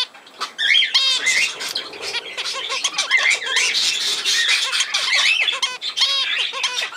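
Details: Several budgerigars, from a 17 November 2024 recording, chatter almost without pause in a dense, scratchy warble mixed with looping whistles and harsh squawks.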